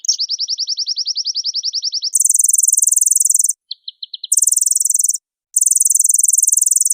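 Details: Oriental white-eye, pleci, singing gacor with full isian as another bird responds: a two-second rapid buzzy trill, then long very high dense trills broken by a few short chips.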